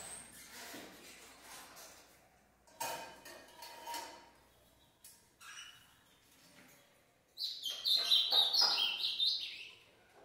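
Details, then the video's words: Caged ultramarine grosbeak, adult or its six-month-old young, gives a two-second run of sharp rapid chirping notes stepping up and down, preceded by clattering knocks and faint indoor noises. "azulão/ veja o 💯 pareia e seu filho com 6 meses"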